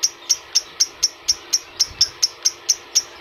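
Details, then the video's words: Lure sound for adult lovebirds: crisp, very high single chirps repeated about every quarter second in an even rhythm, with quiet low rumbling underneath. "PERANGSANG PANCINGAN LOVEBIRD DEWASA"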